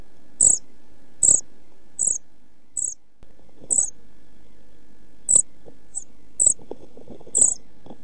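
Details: Pied flycatcher nestlings in a nest box, 11-12 days old and near fledging, 29 June 2013 nest-box camera; isolated thin high begging notes at irregular intervals, several paired with dull knocks and scratching inside the box.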